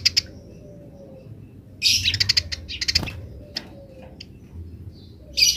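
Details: Grece chirping of wild house sparrows, with wild sparrows answering. Isolated sharp chirps open, then a loud, fast chattering run around the middle, a few scattered notes, and a final burst; a low background hum continues.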